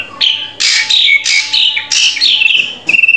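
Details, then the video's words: Drongo song used to train a captive bird: loud harsh rasping bursts interleaved with slurred whistles, ending in a rapid stuttering trill. "Masteran Burung Srigunting Agar Cepat Gacor"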